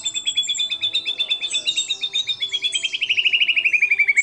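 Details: White-rumped shama singing a mimicry-packed song of kapas tembak, cililin, lovebird and canary notes: a long rapid pulsed trill, about four notes a second, slowly sliding lower in pitch toward the end.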